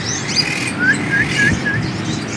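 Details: Sunbird giving a brief series of four clear, quick upslurred chirps after a high thin twitter, set against a faint rumbling background.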